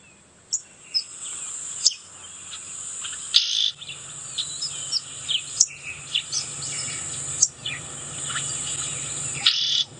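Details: Field-guide recording of Red-billed Oxpecker: harsh, raspy hissing calls about every two seconds, over a steady high insect drone; deeper and raspier in tone than the higher-pitched Yellow-billed Oxpecker.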